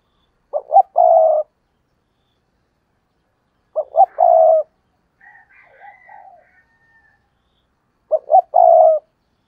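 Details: Spotted dove used as a decoy to call in wild doves, repeating a low three-part coo of two short notes and a long burry purr about every three and a half seconds; a faint higher call sounds between phrases.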